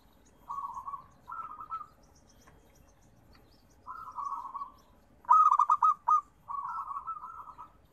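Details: Perkutut, the zebra dove, heard as therapy song: two soft trilled coos, a pause, then a longer set of phrases ending in a loud staccato burst of rapid clipped notes and a rolling coo.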